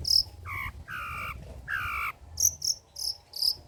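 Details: Long-tailed shrike in a classic-style song used as a lure and tutor recording: sharp high whistled notes alternate with harsh, nasal, buzzy bursts lower down, several mimic-like phrases in under four seconds over a low hum.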